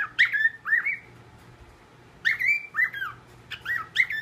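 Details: Pet parrot whistling copied tunes, slightly rougher than pure whistles; drawn-out slurred notes and swooping phrases in two bursts separated by a pause of over a second, low hum behind.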